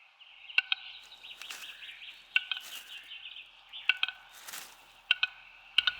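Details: Male Western capercaillie in Serbian forest giving his mating call to woo hens: sharp, dry double clicks every second or so, over a steady high trilling from other forest birds.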